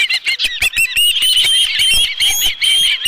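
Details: At a nest holding a live fish, an osprey gives quick, insistent high whistled chirps, nearly unbroken, over scattered sharp clicks; recorded 11 July 2018 around 12:41 PM.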